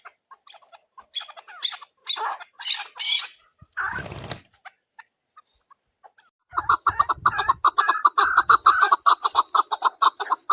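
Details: Chukar partridge calling in a hunting setting: a few scattered harsh notes, then a fast, steady run of clucking chuck notes repeated several times a second through the second half.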